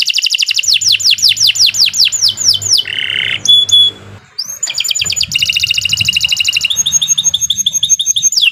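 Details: Canary training song: a rapid series of descending whistled slurs, a harsh buzzy note, a pure whistle, then fast rolling trills with high whistles.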